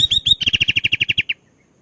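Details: Sooty-headed bulbul song phrase: three swooping whistles, then a rapid, evenly spaced string of about twelve bright, slightly buzzy notes that stops sharply into silence.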